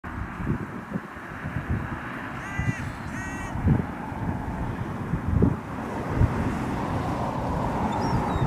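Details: Carrion crow on a clifftop greeting the person who feeds it: two quick, hoarse caws close together over steady wind rumble and low background noise.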